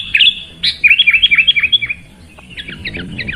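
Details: Sooty-headed bulbul song: a couple of sharp notes, then a quick series of about ten bouncing whistled chirps, fading into softer repeated notes at the end.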